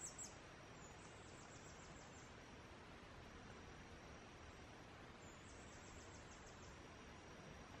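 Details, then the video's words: A male Blue-throated Goldentail (Chlorestes eliciae) sings in the foothills of Guatemala: a faint run of very high, thin squeaky notes, repeated after a pause of a few seconds, over a steady background hiss. "Singing Blue-throated Goldentail"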